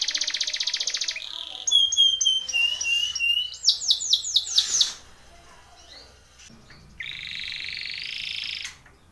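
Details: Timbrado canary training song: varied sequence of a buzzy trill, clear whistled notes, a loud pulsed roll of descending chirps, then a lower sustained buzzy trill.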